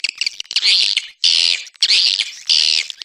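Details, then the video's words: Anak Muda style swiftlet lure call for attracting birds: four loud buzzy, hissing twitters, each about a third of a second long and coming roughly every 0.6 seconds, with faint chirps between them. "Suara Panggil Walet"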